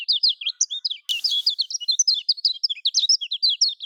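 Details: Lemon-bellied white-eye singing in the Lombok style, a recording used to prompt caged birds to sing: steady, fast, high-pitched warbled chirps in an even stream, interrupted by a short burst of hiss.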